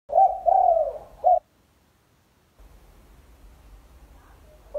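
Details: Spotted dove call used for training birds: a low, hollow three-part coo, with a longer middle note, then a few seconds of quiet and the start of another coo.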